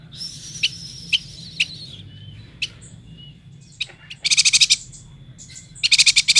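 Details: Vigorously singing yuhina, endemic to Kalimantan. Sharp high chirps over a thin whistled tone open the sequence, then two dense, rapid buzzy trills appear toward the end.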